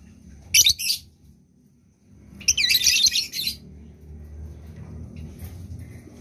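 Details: Lovebird in breeding condition producing two harsh, buzzy chattering bursts, the second longer, separated by a quiet gap over a low rumbling background.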